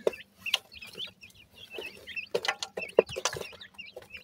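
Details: Grey francolin chicks feeding at the nest, giving a busy stream of thin, high, slurred peeps overlapping one another, punctuated by sharp broadband clicks and taps like pecking or handling.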